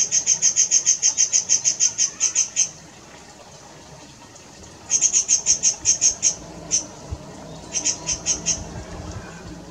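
Rufous-breasted bush robin: quick runs of about a dozen very high, thin ticking notes, a pause, then shorter bursts. Faint background hiss.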